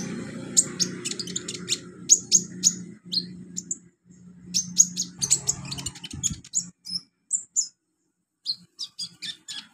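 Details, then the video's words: Olive-backed sunbird training song for young birds: series of very high, sharp ticking chips, some grouped in rapid runs, broken by short pauses, with faint low hum early on. "MASTERAN KONIN/KOLIBRI NINJA buat konin pemula cepat gacor"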